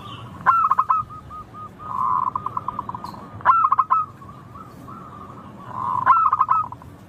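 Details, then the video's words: Perkutut lokal, the local zebra dove of Indonesia, singing clearly. Three phrases, about every three seconds. Each opens with clipped accented coos and ends in a long, evenly pulsed, rolling trill. Faint low background rumble. "Suara burung perkutut lokal Merdu kristal Jernih Ampuh bikin cepat bunyi manggung ngayer"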